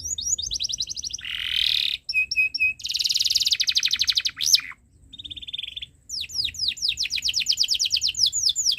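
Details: Canary singing as a tutor for young birds: fast ticking trills, a harsh buzzy roll, paired piping notes, a long rattling tour, then a rapid cascade of down-slurred whistles.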